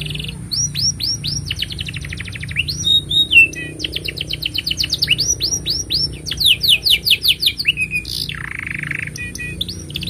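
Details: Canary in full, continuous song, used as a master song for young canaries and to prompt silent ones: fast trills of rising and falling whistled notes, rolling buzzy chatters, and a brief harsh burst near the end, with a steady faint hum underneath.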